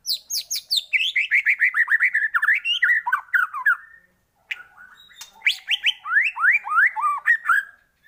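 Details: White-rumped shama lure song to stimulate singing: fast series of sharp, downslurred chattering notes, about three per second, in two bursts separated by a brief pause, clear and loud.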